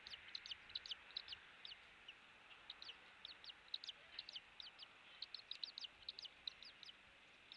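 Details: Eagle at a nest camera on Captiva, Florida, on 16 January 2023 at 07:45 in the morning. The nest was rebuilt after Hurricane Ian, and a chick hatched on 10 January. Rapid, thin, high chirped notes come about twice a second in loose bursts over quiet background hiss.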